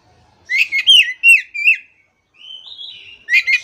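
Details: Kacer, the Oriental magpie-robin, used as a master recording for a bird that has gone quiet: a string of loud slurred whistles dipping and rising, a brief gap, a long thin level whistle, then sharp notes at the end.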